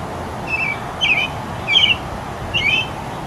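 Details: American robin (Turdus migratorius), song.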